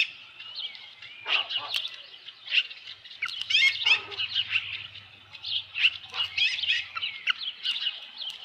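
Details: Osprey at a ranch nest on an evening in July 2018, as a headless fish arrives: dense, high whistled chirps and short rising squeals, overlapping and repeated almost continuously, with a faint low hum underneath.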